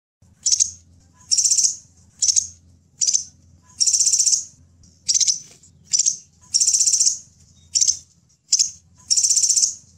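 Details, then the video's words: Crimson sunbird call used to lure wild sunbirds: loud high chirpy bursts, short and longer buzzy trills repeated irregularly about every second, with a low hum underneath. "Suara panggilan burung Kolibri delima, Sepah raja pikat dan masteran"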